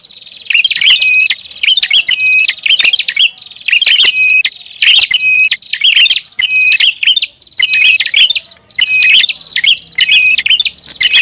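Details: Prinia calling noisily as a lure, repeated phrases of scratchy high chirps and buzzy notes tied together by a level whistle, coming in quick succession with brief breaks.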